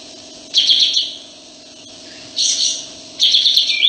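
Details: Sooty-headed bulbul singing energetically with tail spread: three loud, rapid bursts of bright, bubbly notes, each about half a second long, separated by short pauses, over a steady background hum.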